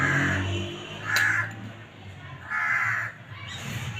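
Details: Black francolin (kala teetar) giving loud, harsh, grating bursts near the upper-middle pitch range, three phrases within about three seconds, each under half a second, over a steady low hum.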